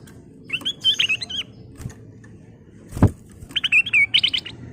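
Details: Ruby-throated bulbul in full song with fills, used as a lure: lively bubbling, whistled phrases in two bursts, rising and falling quickly, broken by a single sharp knock over a steady low hum.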